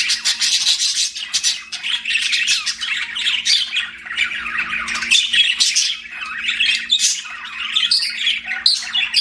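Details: Pet budgerigars chirping, a dense, continuous stream of scratchy warbles and squawky chatter with quick high notes, several birds overlapping and barely pausing, with a faint steady indoor hum underneath.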